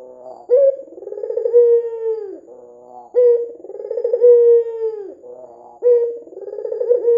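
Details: White dove, red-eyed, calling energetically in lure audio meant to draw doves into calling: about three rhythmic phrases, each a bright clipped start then a rolling, tremulous coo sliding down, separated by soft low murmurs.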